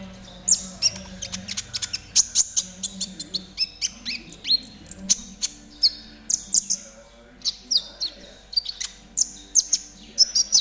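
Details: Spotted konin, a caged songbird, sung for training: a long, busy stream of piercing high chirps, ticks and short slurred whistles, repeated almost without pause for ten seconds over a soft low hum.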